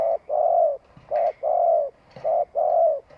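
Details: Decoy spotted dove's long cooing: a regular pattern of a short coo followed by a longer, slightly falling hum, repeated about once a second, with faint clicks in the background.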